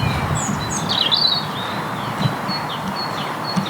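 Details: A great tit calls on a spring Sunday morning in a Basingstoke, Hampshire, UK neighbourhood: short, high, sharp call notes, some slurring downward, amid other faint bird calls (long-tailed tits possibly) and a low rumble.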